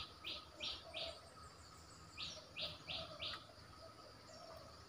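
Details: Caged red-whiskered bulbul kept as a decoy bird: bright, short chirping notes in two groups of three, evenly spaced, over a steady hum and faint insect buzz.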